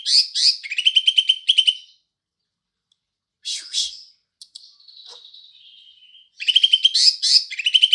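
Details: Green leafbird singing sparrow-like material: rapid rattling chirp series, a brief harsh burst, a thin wavering whistle, then the chattering run again.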